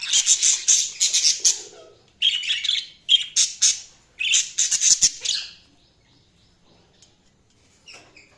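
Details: Budgies chirping in rapid clusters of sharp, high chattering notes for about five seconds, then near silence with a few faint chirps at the end.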